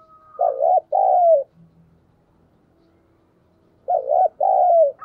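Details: ['Decoy spotted dove cooing to provoke wild birds: a pair of low, mellow coos, a short quavering note then a longer one sliding down, repeated after a quiet gap of about two and a half seconds.']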